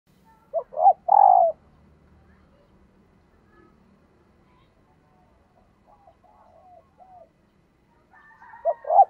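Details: Female dove calling to stir up males: a short run of low hooting coos rising and falling, with a final drawn-out slurred coo. Faint soft murmurs fill a quiet gap, and a second phrase begins at the end.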